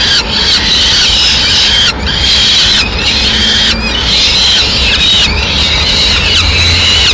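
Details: Harsh, slurred squealing from a peregrine falcon nest in Madrid on 6 May 2016 as the female brings a pigeon; notes of under a second, several in a row, with faint low rumble beneath.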